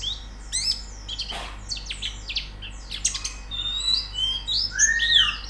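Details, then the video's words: White-eye training song: scattered high chirps and quick sharp slurs that grow denser, ending in bright sustained whistles and a lower rising-falling phrase; one brief broadband rustle early on. "Terapi Pleci Cepat Gacor Buka Paruh"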